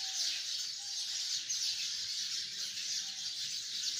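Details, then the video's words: A tree full of hundreds of sparrows gives a constant high twittering din, individual chirps merging into one steady mass of sound, with faint lower tones beneath. "chirping of hundreds of sparrows in the tree"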